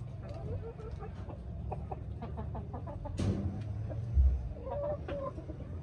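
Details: Hens looking over their new coops utter short, scattered clucks and a brief, louder squawk near the end, with a sharp knock midway and constant low rumbling in the background.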